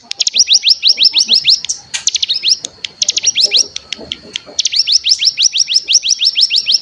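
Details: Bar-winged prinia (cigun) rapid bren song used as a lure to get birds singing, with fast high swept notes in runs interrupted by a brief mix of chattering notes midway.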